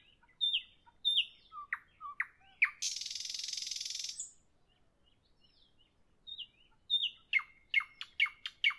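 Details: Nightingale singing in the evening: sweeping whistled notes, a long buzzing rattle, a pause, then a rapid series of sharp chipping notes.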